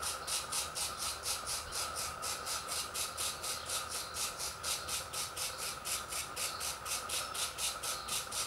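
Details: Three young pileated woodpeckers at the nest as parents come in to feed them; a rapid, steady series of harsh, hissing squeals about two per second, continuous throughout, with a steady mid-pitched hum behind.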